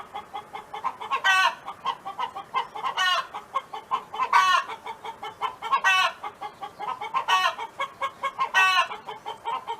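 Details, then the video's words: Farm hen from next door clucks continuously with soft, rapid notes, punctuated by six harsh, harmonic squawks spaced about one and a half seconds apart. "Chicken Hen Sound Effect [Audio]"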